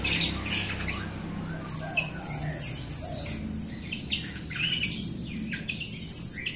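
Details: Jalak Rio myna, a keen singer used to set off silent newly acquired Rio birds; scratchy chatter, harsh squawky notes and a few sharp high whistles in irregular bursts.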